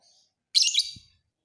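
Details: Lovebird of the fighter type, recorded for training other birds, giving a single loud, scratchy, high chirp burst of about half a second, with a soft low thump just after it.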